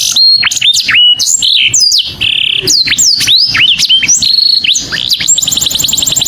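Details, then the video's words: Saffron finch calling its companion: varied high chirps and sharp downslurs, a steady buzzy note near two seconds, ending in a rapid even trill. "O SOM DE UM CANÁRIO CHAMANDO SEU AMIGO"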